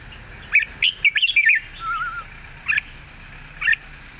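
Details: Red-whiskered bulbul song in a long, soft-voiced wild style with added chatter: a fast run of bright warbled notes around one second, a lower fluting slur, then two short isolated chirps.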